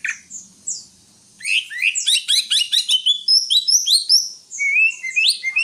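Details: Greater green leafbird in full song: a dense, varied run of sharp chirps and whistled slurs jumping between high and very high notes, ending with rising sweeping whistles.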